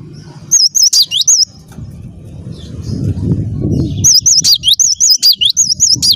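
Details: Cinereous tit in full song: a few looping high notes, a gap filled by low rumbling noise, then a longer rapid string of wavering whistles repeated to the end.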